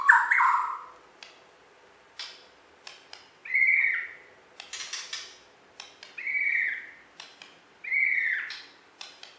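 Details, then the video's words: White-rumped shama from Borneo, a contest champion in West Kalimantan, sings in a cage. Short, mellow, warbled phrases come about every two seconds, with sharp ticking clicks between them. "Video Burung Murai Batu Borneo Juara Di KalBar"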